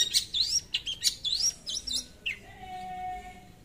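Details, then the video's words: Long-tailed shrike gacor song to call a rival: busy scratchy warbling with sweeping whistles and harsh notes for two seconds, then a lone falling chirp and a faint tone fading out. "PANCINGAN SUARA CENDET GACOR MEMANGGIL LAWAN"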